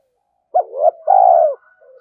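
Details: Spotted dove cooing in the fast urging 'thúc gù' manner used to stimulate other doves: a sharp short note, a swelling hollow coo, then a long steady loud coo that drops at the end.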